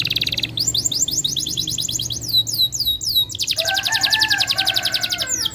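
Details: Canary singing continuously as a prompt for other canaries to sing: fast repeated sweeping whistled notes, rattling trills and a lower warbling phrase, over a background hum.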